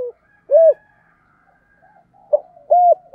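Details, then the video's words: Spotted dove calling in the giọng thổ style: soft, hollow coos spaced about two seconds apart, with a faint steady hum in the background. "cu gáy giọng thổ giọng hạp bổi// cu gay giong tho cuc dinh gáy gọi"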